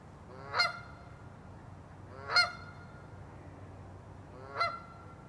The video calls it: Cri de la Bernache du Canada/Call of the Canada Goose